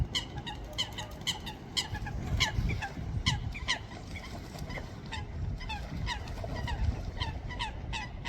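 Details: Ducks screeching, a beautiful sound: many short harsh calls with bright stacked overtones, repeated rapidly and overlapping throughout, over steady low rumbling background noise.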